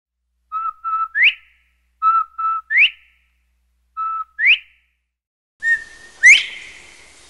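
Northern bobwhite giving its clear whistled "bob-bob-WHITE": short, level notes, then a sharply rising final whistle, four phrases about two seconds apart, the last louder and echoing.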